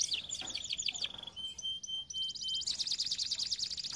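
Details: Canary song meant for training: quick down-slurred notes over a steady whistle, a short pause with soft tones, then a bright rapid high trill; fairly quiet.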